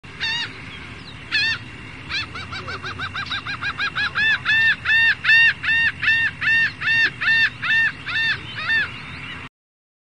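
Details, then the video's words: A gull gives a loud laughing series of harsh, arched yelping notes, about two or three per second, building in strength before stopping abruptly. "Seagull Call"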